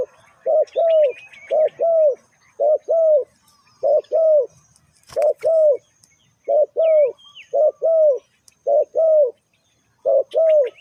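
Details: Spotted dove used as a trapping lure, giving low hollow coos in paired notes, a short note then a longer arched one, repeated about once a second with brief pauses; faint higher chirps from other birds behind.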